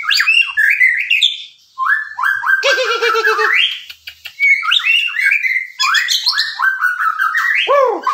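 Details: White-rumped shama in rich, varied song: clear rising whistles, a fast low warbled trill, chattering buzzy notes and quick down-slurred phrases, delivered in long bursts with two short pauses.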